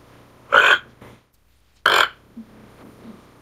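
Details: Toco toucan (Ramphastos toco) giving two harsh, rasping croaks about a second and a half apart, with faint low murmurs in a quiet background.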